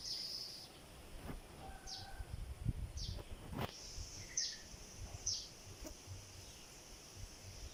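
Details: Nest-building sparrow among palm leaves gives scattered thin high chirps and brief whistles, with occasional clicks and a low rumble underneath.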